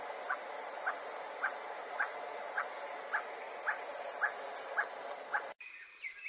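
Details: Emerald toucanet calling: a steady series of short, dry, mid-pitched notes repeated about twice a second, around ten in a row, against constant background hiss that cuts off abruptly near the end.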